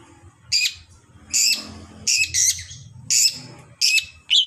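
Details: Long-tailed shrike song aimed at triggering other shrikes: harsh, grating squawks in short bursts less than a second apart, with faint low rumbling underneath.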